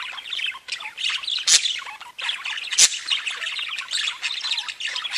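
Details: Budgerigars kept as pets chirp and warble in chorus, a steady scratchy chatter with two sharp, loud squawks standing out above the babble.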